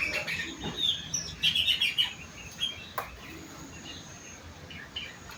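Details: Sooty-headed bulbul (kutilang) whose song is filled with rengganis and cucak wilis material: quick bursts of high, chirpy twittering notes in the first two seconds, then sparser faint chirps over steady low background hiss.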